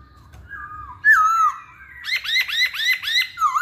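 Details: Masked laughingthrush, known as poksay hongkong, kept as a caged songbird: a loud falling slurred whistle, then a run of five rapid repeated downward-curving notes and a closing rising whistle.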